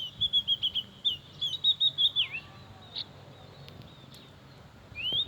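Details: Oriental magpie-robin giving a series of clear, steady whistled notes repeated rapidly, then a slurred down-up whistle, a pause, and a final rising whistle over faint background hum.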